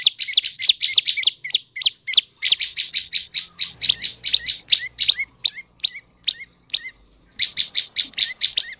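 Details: Prenjak lumut tailorbird singing, used to lure males and females into song; long fast series of sharp high chirps, some ending in short downward flicks, repeated nearly nonstop with brief gaps and faint background hum.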